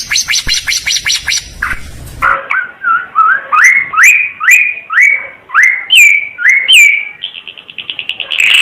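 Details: Timor red-eyed bird singing: a dry rapid ticking run, then a series of rising whistled slurs repeated about every half second, ending in a fast buzzy trill.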